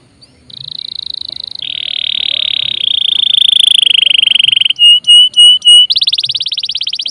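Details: Canary in constant song, used to get other birds singing: long sustained buzzy tones shifting slightly in pitch, a few sharp whistled notes, and a closing rapid trill.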